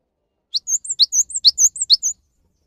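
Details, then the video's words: Persistent Cinereous tit song used to coax silent, young or stressed caged birds into singing: a run of high paired notes, each a steep downward stroke followed by a swooping whistle, about six phrases in under two seconds. "MASTERAN GELATIK BATU GACOR UNTUK MEMANCING BUNYI GELATIK BATU MALAS BUNYI"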